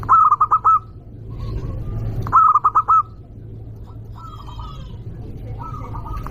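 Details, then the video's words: Local zebra dove, a loud calling bird used to provoke rivals, gives staccato cooing bursts of four or five rapid mid-pitched notes. Two strong phrases are about two seconds apart, with softer echoing coos after them, over a low background rumble. "Perkutut lokal gacor suara keras"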